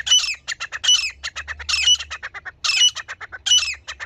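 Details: A female grey francolin, whose voice serves as a hunting lure, utters a dense, harsh chatter of squawky high notes in clustered bursts with a faint low hum behind.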